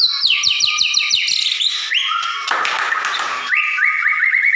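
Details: White-rumped shama lure song, kept bird, meant to make other shamas answer with fighting and full song; rapid series of repeated downslurred whistles, a rising note, a harsh burst, then rolling trilled notes.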